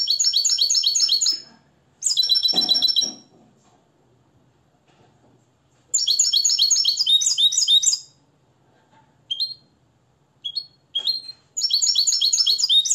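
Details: Nest-reared captive European goldfinch from Morocco, tutored in the limpio song style, delivering high, rapid twittering phrases in bursts of one to two seconds, separated by pauses and a few short single notes; one low thud heard.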